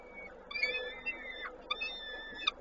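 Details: Peregrine falcon nest, Koszalin, 19 May 2022, while food is delivered; faint high whistled notes and level tones, with a few brief clicks and knocks.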